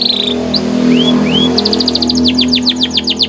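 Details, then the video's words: Canary song over a steady low hum: a short buzzy note, a couple of upslurred whistles, then a run of quick repeated downslurred chirps. "CANARY Gacor Cengkok Istimewa"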